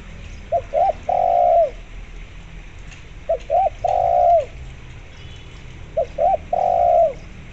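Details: Spotted dove in full voice, meant to lure zebra doves to call: three identical phrases roughly every two and a half seconds, each two short hooked notes leading into a long husky coo that drops away at the end.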